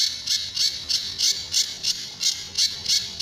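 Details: Sunda bush warbler, recorded as a master for training other birds, giving tembakan and besetan sounds. Short rasping bursts pulse about three times a second.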